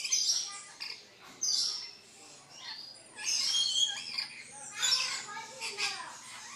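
Red-collared lorikeet giving harsh, grating screeches in four or five rough bursts, each lasting under a second, with quieter chatter between them.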